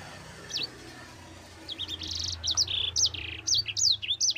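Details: Mozambique canary rolling song used to train other birds, starting sparse and then building into quick repeated high chirps, nearly three per second, over a faint low hum.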